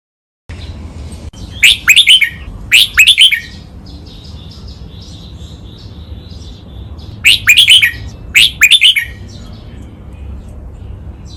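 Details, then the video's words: Crisp red-whiskered bulbul training song, double counted-note style: pairs of fast whistled note clusters, silence of several seconds between pairs, faint hiss in the background. "นกกรงหัวจุก | เสียงร้องเบิ้ล 2 นับดอก แม่บท ลากหวาย คมชัด ไว้ฝึกนก (เสียงฝึกร้อง)"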